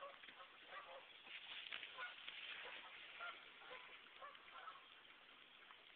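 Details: Geese calling on the water of a West Concord, Massachusetts brook during a January 2009 snowstorm; rapid overlapping honks, roughly two per second, loudest in the middle then thinning out.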